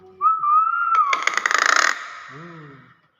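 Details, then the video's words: Common hill myna in its natural voice: a short rising whistle breaks into a loud, harsh, buzzy rattling burst, followed by a low, nasal, voice-like phrase. "BEO GACOR SUARA ASLI"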